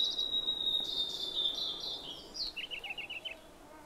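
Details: Blue-and-white flycatcher in the Khingan nature reserve, Amur Region, Russian Far East, with oriental cuckoo and Siberian blue robin behind it: a long, high, sweet whistled phrase. A quick run of seven short, lower chirps follows.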